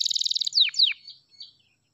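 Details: F2YS canary singing: a rapid buzzy rolled trill, then two sharp descending sweeps and a few softer fading notes, no other sounds.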